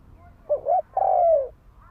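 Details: Spotted dove call used as a lure to provoke fighting: a rippling short coo followed by a drawn-out, smooth coo sliding softly downward, over low background hum.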